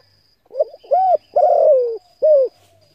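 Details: Spotted dove coo used to lure and excite decoy birds: a soft stuttered lead-in, a rounded hoot, a long drawn-out falling coo, then a final short arched hoot, over near silence and a thin steady whine.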